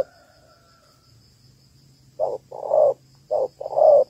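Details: Female spotted dove, Malaysian type, calling to stimulate males, used as a lure for ground trapping: after two quiet seconds, a short low coo then a longer throaty one, repeated twice, over a faint steady high hum.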